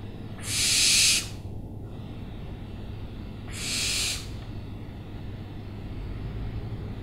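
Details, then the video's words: Owl giving two harsh, breathy hissing screeches, each under a second long, the first louder, about three seconds apart, over a steady low rumble of background noise. "OWLS SOUNDS"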